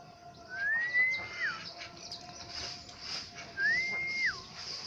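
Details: Aceh black-naped oriole producing two long, level fluty whistles, each rising at the start and dropping at the end, about three seconds apart, against a low humming background.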